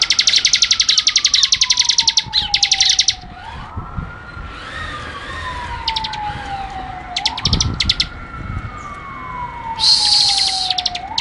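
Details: Prinia delivering a long rapid buzzing rattle, then sharp chirp clusters and a final buzzy burst in ngebren style, against a loud siren repeatedly sweeping upward and sliding down.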